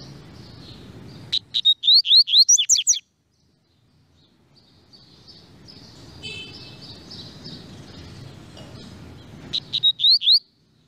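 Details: Double-collared seedeater delivering two loud bursts of high, rapid slurred whistles separated by a long gap of background noise and faint distant chirps.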